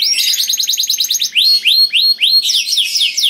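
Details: Loud, melodious canary song, said to suit luring other canaries: a rapid trill of repeated high notes, then a series of rising slurred whistles about every half second, ending in fast descending sweeps.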